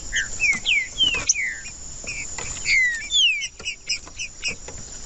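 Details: Green-winged saltator singing, played to warm up a cold bird: short clear whistled notes, several sharply slurred downward, given in loose bursts with brief pauses, over a steady thin high-pitched hiss.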